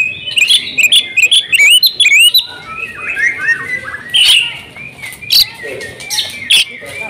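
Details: Female oriental magpie-robin kept at home, singing persistently with isian phrases: a fast opening string of bright curling whistles, then softer warbled glides and scattered sharp, loud notes spaced about a second apart.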